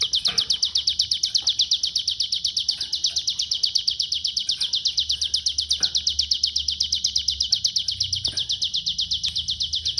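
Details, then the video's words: Rapid, high-pitched, unbroken trill from a pygmy bushtit of Cililin in its "konslet" song, with fast even notes running steadily for ten seconds. Occasional soft clicks sound in the background. "CIGUN KONSLET MATEI CILILIN"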